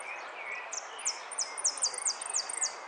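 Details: Third-placed jilguero finch at a Zona Norte singing contest, 01 11 15, amarillo sin cierre style: evenly spaced high, steeply falling notes about every quarter second over background hiss and soft lower chirps.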